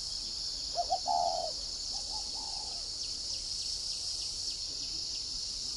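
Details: Spotted dove used as a decoy, giọng còi voice type, giving one clear phrase of two quick notes and a sustained coo, followed by fainter trailing notes, against a loud continuous high-pitched insect chorus.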